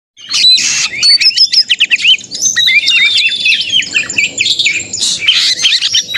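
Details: Oriental magpie-robin (kacer) fighting song, used as a lure to provoke other magpie-robins into singing and tail-spreading; a loud, fast, nearly unbroken jumble of sharp high whistles, up- and down-slurred notes and harsh chattering bursts.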